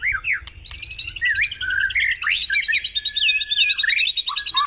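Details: White-rumped shama song from a morning dew-bathing session, played to prompt caged birds to sing: a varied run of clear whistled slurs, rising and falling, with a long level whistle and rapid high trilled notes overhead.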